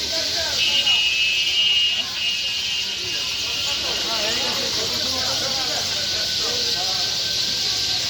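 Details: Every afternoon, after the Asr prayer, a large gathering of sparrows on power lines and in a Bakul tree at Bhangura bazaar, Pabna, Bangladesh, makes a dense, continuous wash of high chirps and twitters over a steady electronic whine and a few lower voices.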